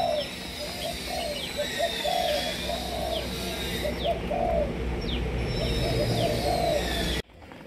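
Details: Spotted doves of several Malaysian lines kept by a breeder, cooing in overlapping low, soft, rounded phrases repeated steadily throughout, with thin descending whistled chirps from other birds above and a constant low hum.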